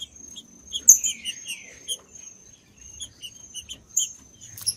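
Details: Green-winged saltator song played to rouse cold, non-singing saltators. One or two rich, downward-slurred whistles sound early, then scattered short high chirps repeat over a constant thin high tone.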